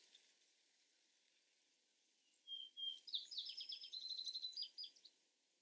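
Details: Vesper sparrow heard faintly against steady background hiss: two whistled notes, then a twittering series of rapid chips that fades out.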